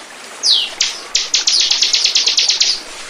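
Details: Bar-winged prinia lure song: one downslurred note, then a fast series of about a dozen sharp, high, clicking chips.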